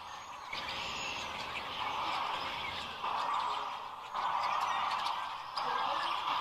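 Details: Massed sandhill cranes at Rowe Sanctuary near Gibbon, Nebraska, in early April 2015, picked up by a crane camera: an unbroken wall of trilling, rattling calls from a large flock, growing louder in surges every second or so.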